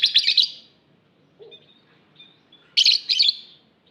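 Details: Two bursts of harsh, rattling lovebird chirps from an aviary, separated by a quiet gap with faint high squeaks and one soft low note.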